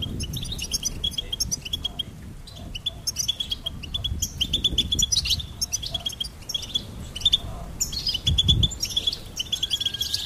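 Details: A goldfinch sings a long, continuous, fast twittering song of high jingling notes and trills in quick, lively phrases, with faint low background noise.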